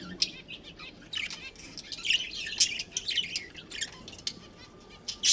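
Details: Captive budgies, a colony with a breeding pair, chattering in soft, scratchy twitters and quick chirps, growing busier mid-way and ending with a louder chirp.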